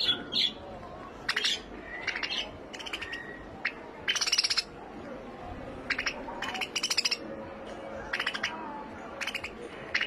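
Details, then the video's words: Several quick, high chirping bursts from finches, some in rapid clusters and others as single bright tweets, repeated irregularly every second or so against a soft, steady hiss. "Finch Bird Sound"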